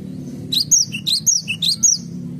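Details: Cinereous tit in a garden, its voice called cute: a quick run of high, thin chirps and short sliding whistles in bursts, each note bright and clipped, over a faint low hum.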